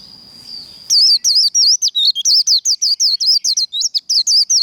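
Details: Japanese white-eye in contest líu singing, meant to fire up birds in training, a thin steady tone opens, then a long fast sequence of loud, high zigzag whistles, about twenty-five notes with brief gaps.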